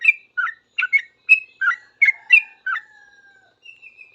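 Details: Sooty-headed bulbul responding to other bulbuls: a fast string of bubbly two-part notes, then a long level whistle trailing off, with a thin distant whistle near the end.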